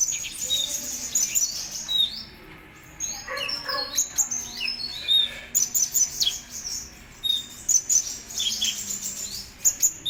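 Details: Kolibri Ninja sunbird, a contest-kept songbird, pouring out rapid, very high-pitched twitters and short downslurred chirps in quick clusters, with brief quieter gaps between bursts.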